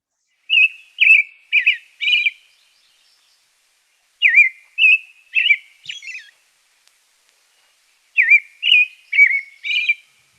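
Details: American Robin singing clear, sweet caroling phrases in three bursts of three or four notes with short pauses between; professionally recorded under ideal conditions with no other background sounds.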